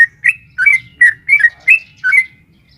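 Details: Sooty-headed bulbul, female calling a male, in the long rapid 'ropel panjang' lure song for caged birds: six rich, slightly rising chirps spaced roughly half a second apart, with quiet low background rumble.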